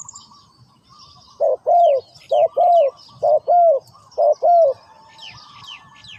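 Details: Spotted dove giving four low, mellow two-part coos, a short note then a longer falling croo, about once a second after a quiet start, with small birds chirping high in the background.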